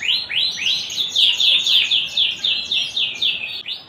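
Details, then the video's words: Canary singing in full voice in the cengkok mewah style: loud, clear, high notes that slur downward, delivered in a quick, steady series of roughly four per second, with no other sounds. "Suara Burung Kenari Gacor cengkok mewah"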